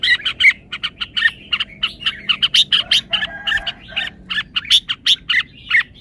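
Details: Red-whiskered bulbul showing its song phrasing: fast, choppy chirps repeated nearly three per second in an irregular, bouncing series.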